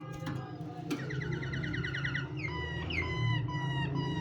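A canary sings fast, rippling trills of bright repeated notes, then clear falling whistles, over a steady low hum.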